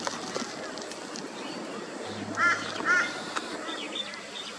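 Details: Rainbow bee-eater (Merops ornatus) in Australia, calling during afternoon to sunset: two quick, rolling, trilled calls half a second apart, then fainter, higher calls over a steady background hiss.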